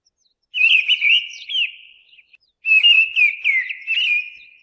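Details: Mistle thrush delivering two rich, wavering whistled phrases back to back, each with quick slurred notes and tailing off softly, separated by a brief gap.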